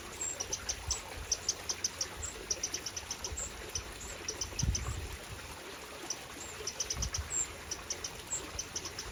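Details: UK wrens in spring 2023, parents managing fledglings: clusters of high, dry ticking notes in uneven bursts, with soft trickling background noise and occasional low bumps.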